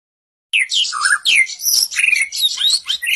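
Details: After a half-second pause, a white-rumped shama breaks into a rich, varied phrase of loud swooping whistles, high squeaks and quick trilled notes, delivered in rapid bursts.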